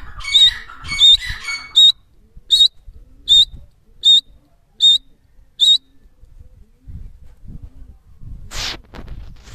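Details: Teetar, or francolin, calling with loud, shrill, whistled notes. At first they come in rapid raspy clusters, then repeat singly at an even beat, a little over one per second, before stopping. A brief rushing noise follows.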